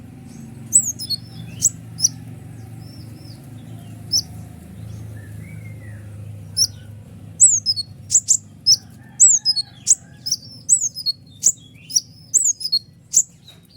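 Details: Sunbird (kolibri ninja) in full, lively song for provoking other songbirds: sparse high chips at first, then a dense burst of rapid piercing notes and falling squeaks in the latter half.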